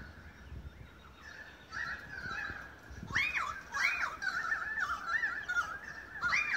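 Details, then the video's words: Australian magpies singing in a long concert in Beverly Hills, Sydney, Australia, August 2015: soft level warbles at first, then loud, clear, arching fluty notes that loop up and down, several birds overlapping in a rich carol. "Magpie concert"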